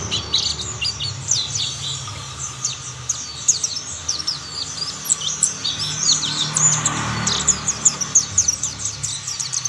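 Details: Chorus of mountain white-eyes as further birds join in: continuous high, twittering chirps in quick clusters, louder toward the end, over faint low-pitched background noise.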